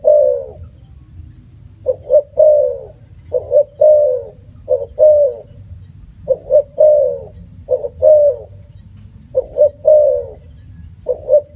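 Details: Spotted dove giving a long run of cooing phrases, each a pair of brief coos ending in a drawn-out note, roughly every one and a half seconds, with quiet low background noise.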